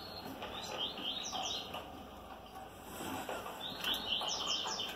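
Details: A male double-collared seedeater sings while mating with a female: two bursts of quick, high, sweet, uneven twittering, with a soft hum of room noise behind.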